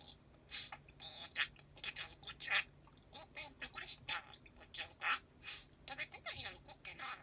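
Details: Pet parakeet chattering continuously in the dark after the lights go off. A steady, soft stream of rasping, warbled syllables mixes with little chirps and clicks, delivered in irregular quick bursts indoors.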